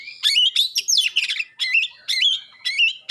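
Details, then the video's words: Rapid, punchy phrases from a magpie-robin singing sharp shots and clear tones to make others respond: wavering whistles, each opening with a harsh snap, repeated about every half second. "suara tembakan tajam juga suara jernih bikin kacer lain langsung respon ngobra"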